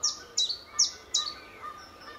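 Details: Common chiffchaff singing on an early spring morning in March 2014 at Standalone Farm, Letchworth, along a greenway, flicking about and preening; squeaky, bike-wheel-like high notes dropping in pitch, four in about two seconds, evenly spaced.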